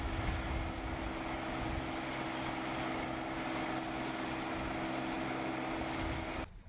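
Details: A droning, engine-like hum with steady tones runs throughout, then cuts off abruptly near the end, with no animal voice heard.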